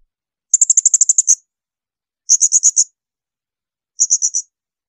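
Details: Piercing high bursts from a blue-crowned hanging parrot, recorded to teach songbirds like magpie-robins: a quick run of about nine sharp notes, then two shorter volleys of four to five notes.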